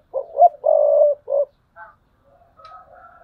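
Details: Spotted dove used as a decoy bird, calling in the thúc bổi style, 2022: two short hoarse coos, a long drawn coo and a short closing coo, followed by faint, softer distant cooing.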